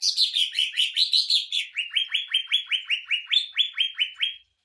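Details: Song of a greater green leafbird, used to train and provoke other birds: rapid chattering notes easing into a long string of repeated downslurred whistles, roughly three each second, clear with no background noise.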